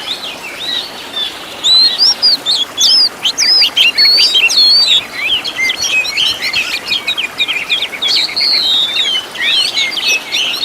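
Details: Oriental magpie-robin (kacer) song on a master recording for training caged birds, full of rich 'tembakan' fill-in phrases: quiet opening, then rapid high whistled slurs, trills and sharp chirps in quick varied bursts.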